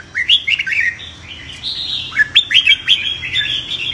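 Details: Red-whiskered bulbul in fighting song for training: a few quick, liquid whistled notes, then a longer sustained phrase followed by a burst of sharp chirps.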